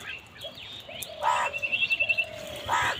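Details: Crow calling while fighting for food: two harsh, hoarse caws about 1.5 seconds apart, with a fast repeated chattering trill from another bird and steady level whistled notes in the background.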